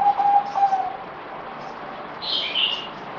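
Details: A captive zebra dove on its fourth day of deworming treatment, 17 April 2020, gives soft, clipped, steady mid-pitched cooing notes in the first second, then a brief higher chirp over faint background hiss.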